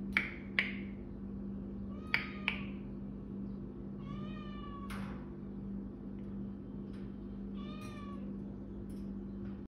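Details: An African grey parrot, said to be saying "SubhanAllah", gives two drawn-out, tonal, meow-like vocal phrases a few seconds apart, after several sharp knocks, over a steady low electrical hum.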